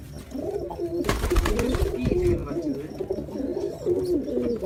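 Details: Soft, low rolling coos from a Jacobin pigeon in an indoor space, repeated in wavering phrases, with a short burst of rustling or flapping early on and faint background voices.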